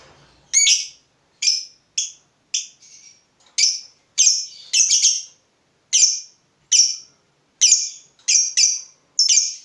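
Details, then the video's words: Lovebird kept as a fighter, excited by the sight of a rival: sharp, piercing high chirps given one by one or in quick pairs, roughly every half second to second, with brief pauses. "Terpancing Emosi Begitu Lihat Lawan, Lovebird Fighter ini Langsung Narung"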